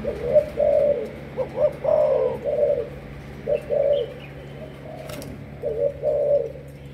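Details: Captive Malaysian spotted dove kept as a decoy for training, known locally as a 'sấm thổ' bird. Soft, deep coos come in short bursts of two or three notes, with a sliding upward note early on and pauses between phrases, over a faint background hum.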